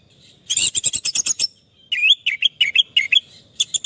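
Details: Orange-headed thrush song as therapy for a stressed, silent bird: a fast series of clipped repeated notes, then a string of rising whistled phrases, each repeated in quick succession.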